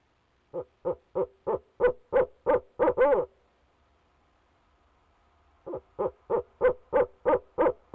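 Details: Barred owl male hooting from his nest box, Leesville, 2018, on a nest camera: about nine rapid low hoots build to longer quavering notes, then a pause of roughly two seconds with faint hum before another fast hoot series starts.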